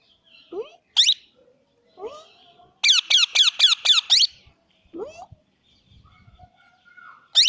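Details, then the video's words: A pet plum-headed parakeet gives shrill, squeaky notes, including a quick burst of about six sharp calls, with softer lower rising squeaks between in a quiet room. "Parrot Cute Voice | Plum Headed Parrot Sound"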